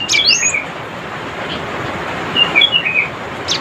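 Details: Cinereous tit calling rivals: an opening burst of sharp high sweeping chips and twitters, a brief pause, then a further run of quick descending twittered notes and a final high chip.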